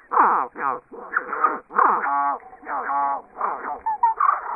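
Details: Zebra finch (Taeniopygia guttata) call at normal speed and slowed down 4x, where it becomes a run of deep, nasal, honking bursts rich in harmonics.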